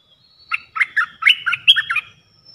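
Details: Red-eyed bulbul, a wild bird answering a caged decoy bird during decoy trapping: a quick run of bubbly, chattering notes, about eight short warbled syllables over roughly one and a half seconds, with a faint high thin tone alongside.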